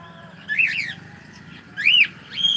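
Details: Cockatiel greeting good morning at home, giving two loud arched whistled phrases with a short lift at the end, clean and close.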